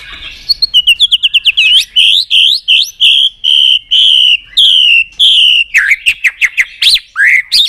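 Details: White-rumped shama in excited full song: rapid ticking notes building into a sequence of long, steady whistles, then quick looping whistled phrases.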